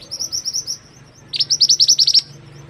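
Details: Mantenan bird singing for use as tutor material for other birds: a softer run of high chirps, a short pause, then a louder, faster string of sharp, high notes, with faint low hum underneath.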